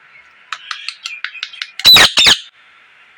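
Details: A parrot gives a quick series of soft, clipped chirps about every fifth of a second, then two loud, harsh screeches in close succession.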